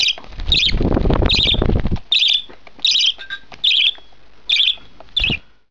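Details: One-month-old budgerigar chick begs during feeding, giving repeated harsh rasping squawks after an opening stretch of loud rustling noise.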